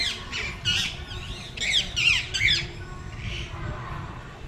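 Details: Birds chirping at Kumara Kottam, Kanchi: a cluster of harsh, buzzy squawking chirps in quick bursts, several overlapping over about two seconds, then fading into a faint broad hiss with low background rumble.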